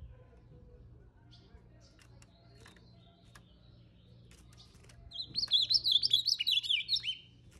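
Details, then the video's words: Ultramarine grosbeak roused to fight: several seconds of faint scattered ticks and distant chirps, then a loud burst of rapid, looping whistled notes rising and dipping for about two seconds before stopping. "Azulão Zé lezinho o topado"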